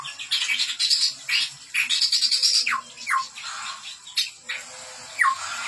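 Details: Chestnut-rumped babbler singing lively, a run of harsh chattering bursts mixed with clear whistles that slide sharply downward, repeated several times in quick succession, heard in a small indoor space.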